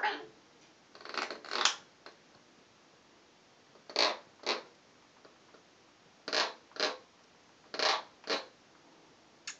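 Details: A cockatoo grinding its beak just after his shower, during a happy dance: short, dry, raspy scraping bursts, often in close pairs, coming every second or two in a quiet room.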